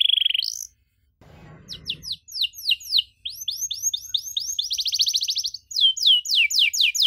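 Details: Canary song for teaching young canaries, with rich ornate phrasing: a steady trill, a gap with a low hum, then rapid series of descending whistled sweeps and a buzzy trill, repeated quickly.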